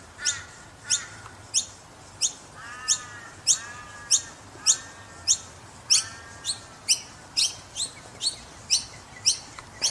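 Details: Noisy miner chicks in Brisbane give sharp, high chirps about every half second, with softer, lower warbled notes between them.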